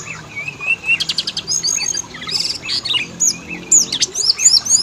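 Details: Oriental magpie-robin song as a lure to make males and females sing, with a low whistled phrase, buzzy rattling bursts and high, looping whistled notes toward the end.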